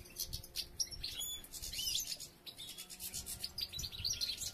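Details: European goldfinches as females begin gathering nest material, three nests already under construction; a busy jumble of high, quick twitters and sharp chirps overlapping from several birds, with faint low rumble beneath.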